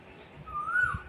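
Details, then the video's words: An Asian koel, heard but not seen near a garden, gives a single clear whistled note that rises and swells over half a second, over a soft low rumble of background noise. "ওই যে কোকিল ডাকে, কোকিল পাখিটা কোথায়?"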